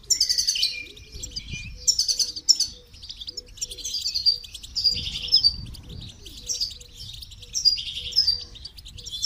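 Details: Goldfinch under song training pours out lively, high, tinkling twitter phrases in repeated bursts; a low, regular piping tone pulses steadily beneath, with occasional dull thumps.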